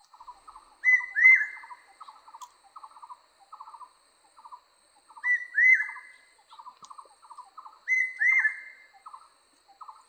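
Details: Small barbets singing: runs of soft, rapid hollow pulsed notes, punctuated about every three seconds by a louder, clear upslurred two-note whistle.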